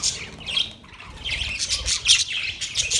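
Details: Pet budgerigars trade quick, high chirps and squeaky warbles in irregular bursts, growing busier in the second half, with some soft low rumbling.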